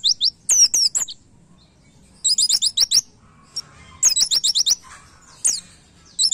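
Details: White-eye (pleci) master song in the rapid 'nembak' style, used to train caged white-eyes: bursts of very high, thin, fast chirps sweeping downward, in short strings separated by brief pauses, with quiet gaps between bursts.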